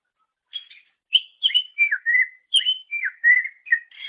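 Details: Cucak ijo, or greater green leafbird, master song for training songbirds; a flowing sequence of clear whistles and downslurred chirps at an even pace, nothing else audible.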